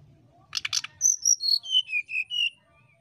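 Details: Brown-chested jungle flycatcher's flute-like song, used to provoke a rival: two rasping buzzy notes, then eight clear whistles that descend steadily in pitch at a quick, even pace.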